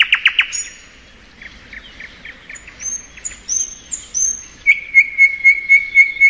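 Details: Thrush nightingale (sprosser) singing in spring: three loud sharp opening notes, thin high whistles, a run of short chirps, then one pure note repeated rapidly about seven times.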